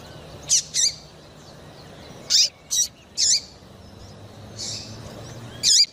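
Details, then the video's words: Female Double-collared seedeater calling to stimulate a male: short, very high, sharp chirps, single or in quick pairs, scattered irregularly with gaps of one to two seconds over a faint low hum. "FÊMEA DE PAPA CAPIM FOGOSA PIANDO E CHAMANDO MUITO - ESQUENTE SEU PAPA CAPIM"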